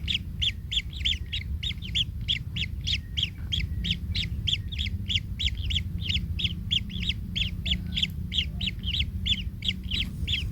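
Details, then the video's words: Kingfisher chicks in a nest, one trampled by its parent and in pain: a fast, steady run of harsh, buzzy notes, about three per second, over a constant low rumble of background noise. "Anak Tengkek Terinjak Induknya Hingga Kesakitan"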